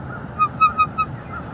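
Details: Four quick, high, clipped chirps in under a second from a female bald eagle, recorded by a live nest camera in northeast Florida in December 2021 as the male brings fish and sticks. Low rumble underneath.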